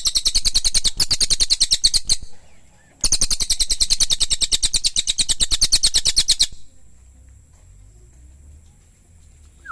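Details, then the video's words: Cililin song: two rapid bursts of sharp, high chirped notes, each about three seconds long with a short pause between, delivered in a fast regular stream before falling to quiet background with a steady high hum. "Suara Cililin"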